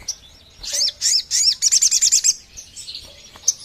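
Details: Sogon bird call played to lure and provoke wild birds: a run of loud, high, slurred chirps that speeds into a rapid series of about seven clipped notes, then fades to faint chirping.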